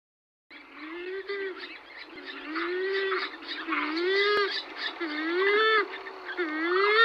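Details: Purple swamphen (Porphyrio porphyrio) feeding its chick in Vegas Altas, Badajoz, November 2020: low nasal hooting notes, each swelling upward, about once a second, over busy higher squealing and chattering calls; Purple swamphen.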